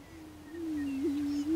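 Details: One sustained low, hollow hoot from a prairie chicken. It holds a level tone with a brief lift near the end. Faint higher bird notes sound in the background.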